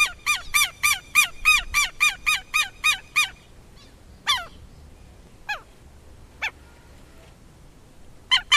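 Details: Southern lapwing calling: a fast run of harsh, strident notes repeated about four times a second for three seconds, then scattered single loud cries after pauses, with faint low background rumble.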